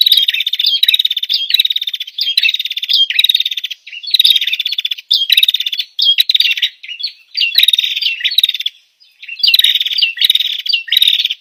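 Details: Female bar-winged prinia chattering steadily: repeated short phrases of fast, buzzy notes with upward flicks, one phrase about every second, almost without pause throughout.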